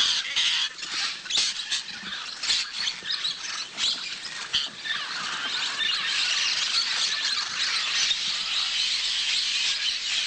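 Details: A flock of Blue-headed Parrots (Pionus menstruus) eating soil at a riverbank clay lick in Manu, Peru, gives a dense chatter of harsh, metallic squawks and shrill notes, several a second, swelling into a steady din.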